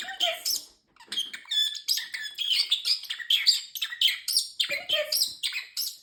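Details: A pet male talking parrotlet chatters phrases such as "Peekaboo", "Danger, danger" and "Excuse me" plus a fake cough, in tiny, high, buzzy imitations, quick syllables running together with brief pauses between words.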